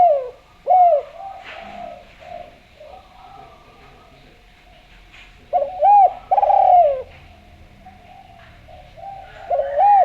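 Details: Spotted dove from Java, a vigorous caller with a sweet voice, used as a lure to get other doves calling: low, arched, hooting coos in phrases near 0.7, 5.5–7 and 9.5 seconds, with faint whistles in the quiet gaps.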